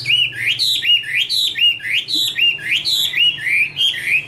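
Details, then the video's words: Chinese hwamei female singing, male in the background: a rhythmic series of paired whistled notes, a short hook then an upward swoop, repeated about three times a second. "Chim hoạ mi: Mái te đỉnh cao của năm _ có chim trống làm nền"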